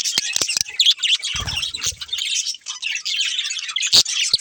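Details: Two budgerigars, a breeding pair, feeding while chirping: rapid high scratchy chatter punctuated by sharp clicks and taps, with a brief low rumble early on and a short pause past the halfway point.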